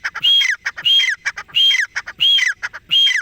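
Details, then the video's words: Francolin calling. A loud, regular phrase repeats about every two-thirds of a second: clipped notes lead into a clear whistled note, then a falling slurred note, in a steady ringing rhythm. "Francolin Voice"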